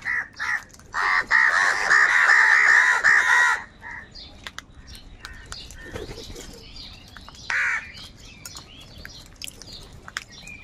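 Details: Crows fighting each other over food give harsh, grating caws in a rapid overlapping burst for about three seconds, then scattered quieter caws and one more loud call near the end.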